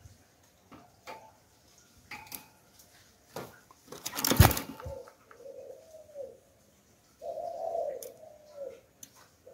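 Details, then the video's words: Decoy spotted dove with the 'Hạp Bổi' voice: after clattering taps and a loud bang, two soft cooing phrases follow, the second longer and fuller. "Chim Cu Gáy Giọng Hạp Bổi - Kích Là Gáy 100% -Tiếng Cu Gáy Kích Mồi"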